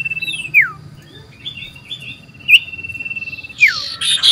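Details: Loud common iora song, the bird seeking a rival, recorded 27 December 2022: long steady whistles dropping sharply at the end, three in all, with soft warbled notes between and a scratchy burst at the close.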